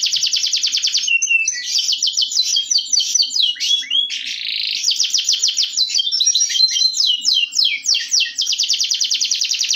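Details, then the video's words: Local canary singing a long, loud song used as a training recording for other canaries: dense runs of fast trills and rapid repeated notes, with a brief harsher buzzy passage in the middle, continuous throughout. "masteran terapi suara kenari lokal"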